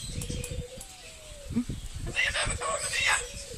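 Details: A corella mimicking talk at Silverton, New South Wales, recorded 25/6/10, utters a drawn-out falling tone, then brief bright, higher squeaky syllables in quick succession, with low rumbling background noise throughout.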